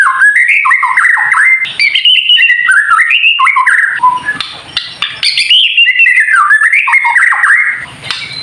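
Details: White-rumped shama delivering a kretekan song, used to provoke other shamas into singing: a dense, nonstop run of varied slurred whistles and chattering notes, loud throughout, with a faint steady high whine.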